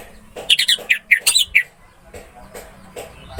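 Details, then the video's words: Orange-headed thrush singing in a tutor recording: a quick series of separate bright, wavering notes, roughly eight in a row, followed by quiet with soft low thumps. "MP 3 MASTERAN ANIS MERAH MACET BUNYI"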